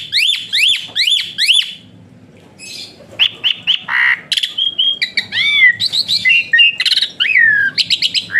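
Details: Asian pied starling, recorded as tutor song for other birds: a burst of five quick repeated whistles, a pause, then a varied jumble of squawky, buzzy and arched whistled notes.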